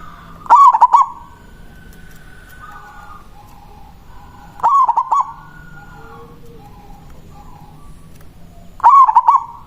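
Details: Local perkutut, the zebra dove, singing to answer and draw a rival: three rolling coo phrases of quick broken notes, spaced about four seconds apart, with faint background hum and soft distant calls in between.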